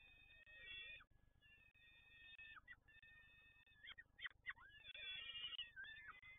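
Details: Peregrine falcon in Toruń, PGE site: long, steady, nasal wailing notes broken by short sharp chips, then a louder, busier run of harsh cries toward the end, over a low background hum.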